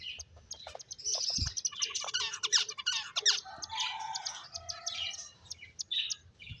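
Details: Finches chirping while playing: a steady chatter of high, varied chirps and short buzzy twitters, with some lower whistled notes mixed in.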